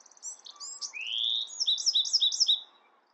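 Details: Song of a Bewick's wren: thin high opening notes, a long upward buzz, then a bright trill of five quick repeated notes, sung once clearly against near silence.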